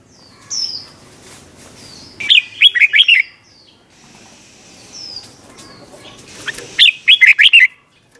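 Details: Red-whiskered bulbul giving its '100 Achip' doubled song, a recording for teaching young birds: two lively phrases of five or six warbled notes, with thin, high, sliding whistles and faint wing flutters in the gaps.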